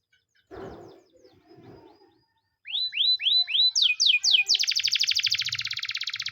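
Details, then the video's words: Russian canary training song opens after soft low sounds with a few slurred, rising-falling whistles that speed into a dense, buzzing high trill of rapid repeated notes. "Russian canary singing"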